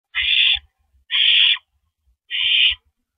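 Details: Barn owl at a nest on the evening of April 9, 2012, 8:45 PM, as the male delivers a rodent. Three harsh, breathy hissing screeches, each about half a second, with short silent gaps and soft low thumps.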